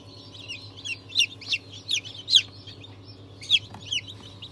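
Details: Newly hatched chicks from a January 22, 2023 hatch of breeds including Ayam Cemani, Cochin and Wyandotte; a few distinct, loud, shrill downward-sliding peeps, about one per second, irregular, with soft chirping and a low hum behind.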